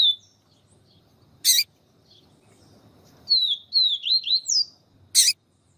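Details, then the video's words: Papa-capim with a female calling to excite the male: a short phrase of high twisting whistles, several notes rising and dipping, set between loud broadband clicks, with faint low hum beneath. "Canto Papa capim siu siu com Fêmea chamando para Esquentar papa capim siu siu"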